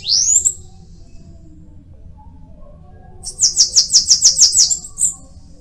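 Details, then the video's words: Bananaquit giving a thin rising squeak, then after a pause a rapid run of about ten very high, buzzy clicking notes ending in a short high trill. "Cambacica| Sibite|tietê|mariquita|chupa-mel|til |sebinho |caga-sebo|chupa-caju| guriatã canto"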